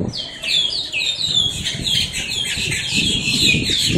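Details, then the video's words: Blackbirds in Miami, Florida, calling loudly at close range: rapid series of sharp, downward-slurred squeaky notes repeated many times over a busy chattering flock. "blackbirds squawking"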